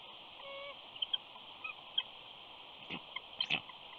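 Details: A mother eagle at her Big Bear nest whines softly to her mate: a short, level whistled note, then scattered thin high chips, with two brief rustling bursts near the end.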